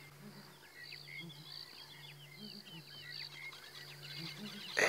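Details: Southern ground hornbills unseen in the distance answering a calling group with territorial calls, late morning, 19 February 2017: low, soft booming pulses in short clusters, under a busy chorus of other birds' whistles and chirps.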